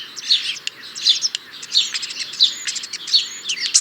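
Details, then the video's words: A European starling sings a fast series of clicks, squeaks and whistled notes, bursts of similar short phrases coming about every 0.7 seconds with sharp rattling ticks between them. "European Starling - Songs"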